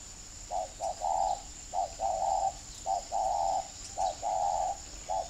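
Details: Spotted dove kept as a caged lure bird, used to call wild doves onto a tree, in Ba Vì, Hanoi, northern Vietnam: soft, low hollow coos in repeated phrases, two short notes then a long drawn coo, over a faint steady background hum.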